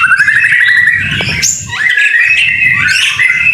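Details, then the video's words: Murai batu song recorded in rain: a fast trill that slides into smooth whistles, a high upward sweep, then more rich warbled phrases, with low rumbling noise underneath. "BIRD SOUND IN THE RAIN SUPER SPECTACULER / MASTERAN MURAI BATU GACOR"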